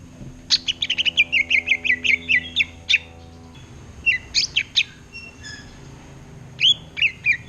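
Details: Greater green leafbird in ngerotek chattering song while facing a mirror: a quick volley of clipped high chirps, then scattered twittered notes and a final short pair, with a constant electrical hum beneath.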